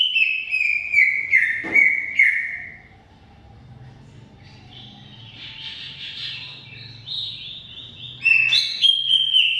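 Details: Greater green leafbird in lively, long 'gacor' song: slurred whistled phrases falling from high to mid pitch, a quiet pause of several seconds with soft chatter, then sharp rising and falling notes.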